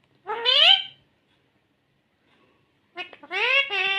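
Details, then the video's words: Ringneck green parrot talking in its natural voice: a rising, word-like phrase, a long silence, then a quick cluster of clipped, nasal, speech-like syllables in a clean, quiet setting. "Natural Sound of Talking Ringneck green parrot"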